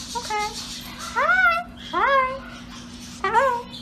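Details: Pet parrot vocalizing indoors: a series of short, rising, harmonic-rich squawked notes, about four phrases with brief gaps, over a steady low electrical hum.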